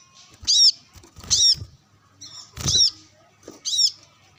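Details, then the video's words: Brown-throated sunbird calling to wild rivals while being sunbathed: loud, high, sharp chirps in arching double notes, four strong bursts in quick succession with thin high twitters between, some low knocking underneath. "Kolibri kelapa | manggar gacor narung bersama burung liar"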